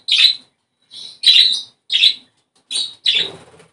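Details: Australian budgerigar singing to stimulate breeding, five or six loud, rasping chirps spaced roughly half a second apart, each a short, bright, slightly buzzy burst.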